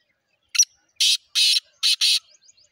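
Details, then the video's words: Black francolin (titar) calling: a harsh, grating phrase of five loud, rasping notes, a short one, two longer ones, then a short one and a long one. The phrase lasts about two seconds, with faint chirps from other birds after it. "titar sultan voice"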